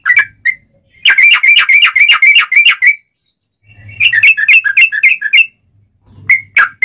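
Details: Sooty-headed bulbul singing a strong, clear song used for tutoring and for luring wild birds to be trapped: bursts of bright, fast chirped whistles, rising and falling, separated by short pauses.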